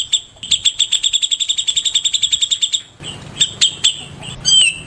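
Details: Singing white-rumped shama at morning time: an even, rapid string of bright ticking notes, then a looser phrase of sharp whistles ending in a short, sliding, slurred note.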